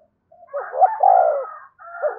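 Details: Spotted dove calling and provoking other doves: a single drawn-out, rough rolling coo with overlapping harsher tones, briefly breaking off before resuming.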